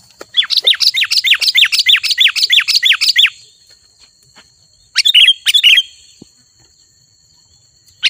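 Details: Energetic sooty-headed bulbul song aimed at luring wild birds: a fast run of about a dozen sharp, rising chirps, then a pause, a short burst of notes and a single final chirp.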